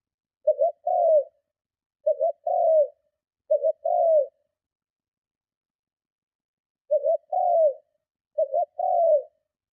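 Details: Cooing of a spotted dove used to lure and provoke other doves. Three low phrases, a pause of nearly three seconds, then two more. Each is a jerky double coo ending in a long falling coo.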